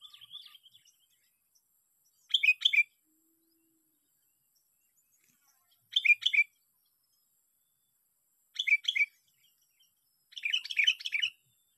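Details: Sooty-headed bulbul caught by luring, on day six of a fighting session: four short, bubbly, whistled phrases spaced about three seconds apart, the last the longest, with a brief chirp at the start and an otherwise quiet background.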